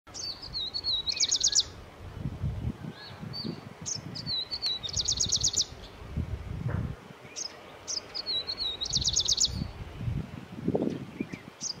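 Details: Grey-breasted prinia, also called Franklin's prinia, in India: high thin wavering notes followed by rapid buzzy trilled bursts, the phrase repeated about three times, with low rumbling background noise throughout.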